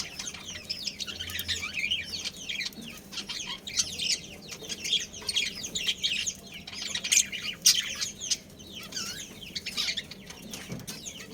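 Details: Budgerigars from a breeding pair and family, chattering in a continuous stream of quick, high twittering chirps and warbles that rise and fall in loudness over a low background hum.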